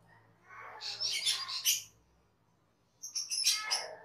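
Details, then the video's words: Cucak keling singing on a cage-bird training master: a loud burst of harsh, high chattering notes, a second of silence, then another dense squawking phrase. "SUARA MASTERAN CUCAK KELING/KERLING"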